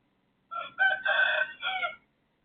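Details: Neighbour's rooster crowing at 3:35 am on 18 December 2024: a short opening note, then a brief break, a long loud sustained middle phrase and a falling final note, about one and a half seconds in all, against a quiet night background.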